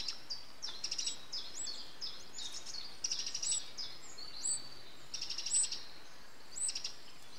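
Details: Eurasian wren nestlings being fed by an adult, recorded 8 June 2013: thin high chirps and short trills in scattered bursts, some rising slurred notes, over steady background hiss.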